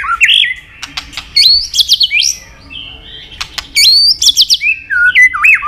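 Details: Long, varied training song of a white-rumped shama, including imitated forest voices and tack notes: bright upslurred whistles climbing high, separated by sharp clicks.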